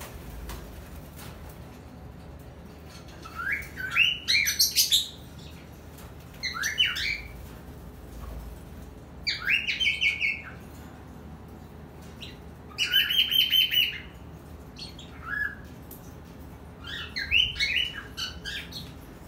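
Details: A cockatiel gives bursts of bright, warbling whistles and chirps as a courtship mating call at the start of the breeding season.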